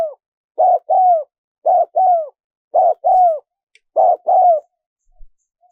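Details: Cooing of a spotted dove, a recording used as a lure for wild doves: four double-note phrases, a brief coo then a drawn-out downward-sliding coo, spaced about a second apart on a quiet background.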